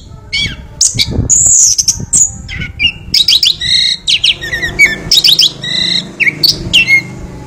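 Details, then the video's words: Chestnut-backed thrush song: a few high whistled notes, then a pause, then a rapid sequence of short, sharp, chirpy notes and slurred whistles repeated in quick succession over a faint low hum. "burung anis kembang berbakti pada tuan bird Geokichla interpres beautiful song"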